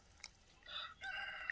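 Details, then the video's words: A rooster crowing near haystacks on a country road in Bucovina, Romania, where it crows at any hour, all the time; a faint, short, two-part harmonic crow, the second phrase longer, over quiet background. "les meules de foin et le coq qui chante. Mais ici il chante à toute heure le coque. Ouais il chante tout le temps."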